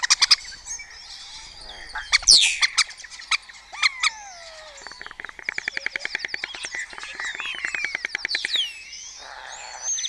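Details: Early-morning starling colony chorus in the open raña of Cabañeros National Park, Spain, birds rivalling with imitated songs; dense overlapping chatter, rapid clicking trains, buzzy rattles and thin high whistles rising and falling throughout.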